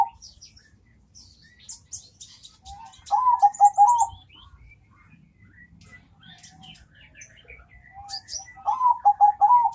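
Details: Zebra dove with a thick, sweet song: two bursts of rapid rolling coo notes, each about a second long, separated by quieter chirps and twitters from other birds.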